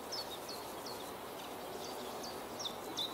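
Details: ['Common chiffchaff song at Beemdkant, Wijnegem, 26 June 2020: crisp, high, downward-slurred notes alternating between two pitches, about two to three per second, in a clear rhythmic series over a steady background hiss.']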